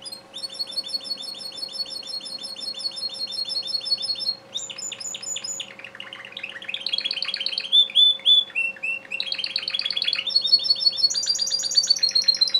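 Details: Bred Timbrado canary cock in an extended song: long runs of fast, even trills switching between higher and lower rattling phrases, a few slurred whistles, continuous throughout, with a faint mains hum.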